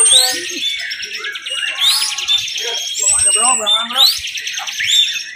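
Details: Bar-winged prinia at a caged songbird contest sings nonstop in high, rapid, overlapping chirps and trills, holding a continuous song run, with several birds going at once over background music, clapping and voices.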